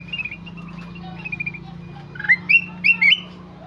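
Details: Kutilang emas in vigorous song: a few soft chirps, then loud bright whistled notes rising and falling in quick pairs over a steady low hum.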